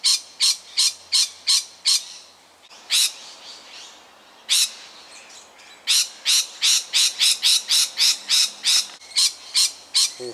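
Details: A lorikeet made nervous by a nearby tiger snake in suburban Melbourne, Australia, on 13 October 2019 gives loud, harsh screeches in rapid series, about three per second, with brief pauses between runs.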